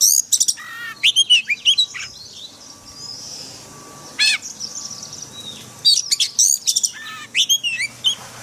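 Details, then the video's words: White-rumped shama forest-style song for training caged birds: clusters of loud sharp whistles and quick trills, separated by quieter gaps filled with soft high notes, over a faint steady hum. "Luyện chòe than hót giọng rừng mỗi ngày"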